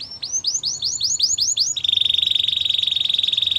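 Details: Belgian canary song: a series of about eight sharply upswept whistled notes repeated quickly, then a fast, even, high rattling trill held to the end.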